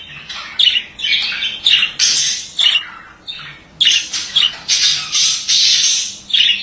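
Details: Male budgerigar singing: a busy run of harsh chattering squawks and buzzy warbles, bursts roughly every half second to second with short gaps, high-pitched and rasping, indoors with a faint low hum.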